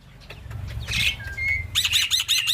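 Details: Black-winged myna song used as a tutor recording for young birds to imitate; faint chips give way to a long level whistle, then a loud run of rapid, buzzy, repeated downswept notes over a low background hum.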